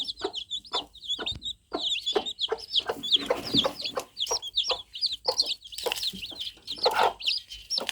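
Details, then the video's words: Baby chicks just out of the egg keep up a loud, shrill peeping, each note a quick upward or downward slide, alongside soft thuds and scraping movement. "Young Chicks Cheeping| Fluffy Chicks| Baby Chicks Just Hatched Cheep Cheep Sound Effect"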